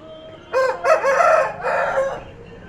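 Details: A rowdy rooster crowing while riding on a bike: one loud, harsh cock-a-doodle-doo in several rough, stretched syllables rising and then trailing off, over low background noise.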